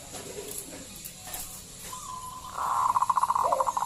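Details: Local zebra dove lure call: after quiet background, a rising tone leads into a long, fast, evenly pulsed trill of clipped notes ending with a short coo.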